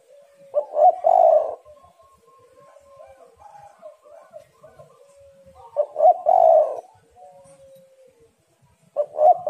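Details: Female spotted dove in heat, calling as a lure to stimulate males: two loud, low three-part coo phrases about five seconds apart, a third beginning at the end, with soft, faint warbling notes in between.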